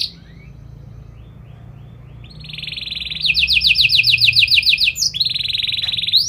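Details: Canary starting quietly with faint chirps, then breaking into loud rapid pulsed trills and a steady buzzy roll.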